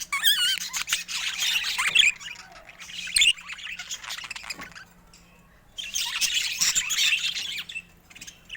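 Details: Budgerigar warbling in two long bursts of scratchy, twittering chatter with a wavering whistle at the start, separated by a quieter stretch with scattered clicks.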